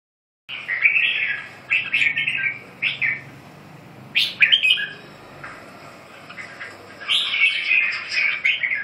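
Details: Red-whiskered bulbul giving short, bright, warbled phrases in bursts separated by pauses of one to two seconds, over a steady low hum.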